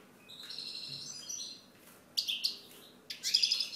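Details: European goldfinch song: high twittering phrases, a drawn-out buzzy note early, then two bursts of bright chattering trills near the end.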